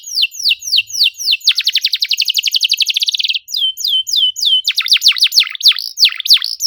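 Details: Canary singing a tight, rapid 'cuit cuit' pattern meant to prompt silent birds to sing: descending chirps, then a fast buzzy trill of closely packed notes, then louder sweeping whistles.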